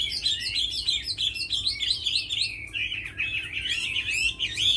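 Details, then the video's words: A tamed Chinese hwamei prized for fighting and song pours out a fast, unbroken stream of bright twittering and warbled whistles, the phrases tumbling one into the next at a steady loudness. "Mi thuần đấu tốt hót hay"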